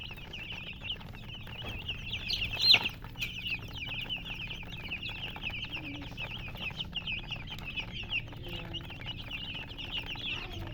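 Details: A flock of chicken chicks sends out a continuous wash of high, quick peeps; one louder, sharper cheep stands out early on, over faint clicking and low background noise.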